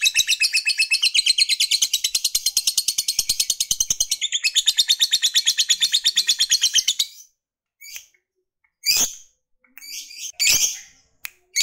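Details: Long ngekek chatter from a fighter lovebird, played to stir rival males: some seven seconds of fast, grating high trill, then silence broken by a few short sharp chirps.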